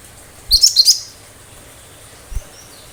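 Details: A cinereous tit sings a short, sharp burst of three quick, high, shrill notes. The song is meant to provoke other birds into answering and imitating it. A faint low thump follows later against a quiet background.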